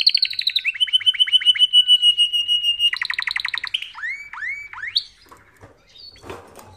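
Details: Canary singing for training other canaries: fast pulsed trill, then a steady sustained rolling tour, a new bubbly rapid trill, three upward-sweeping whistled notes, fading into soft faint chips near the end.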